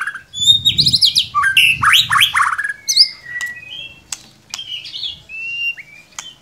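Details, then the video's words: Lure song of a white-rumped shama to make a quiet one sing: loud scratchy rasping phrases at first, then thinner sustained whistles and sharp ticks. "Solusi murai ngiriwik kurang gacor cukup dengarkan suara pancingan ini pasti nyangut"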